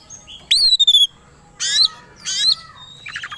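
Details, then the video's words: White-rumped shama provoked into aggressive, fight-ready singing: a loud rising-then-falling whistled note with harsh overtones, two more harsh slurred notes, and a short buzzy rattle at the end. "Pancingan Kacer Agar Cepat Emosi Gacor 3 || Super Gacor Langsung Tarung"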